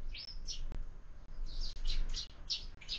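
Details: Several sparrows feeding at a feeder fixed to a window at breakfast, sharp bright chirps repeated quickly in a loose series, one brief knock early on, quiet room hum underneath.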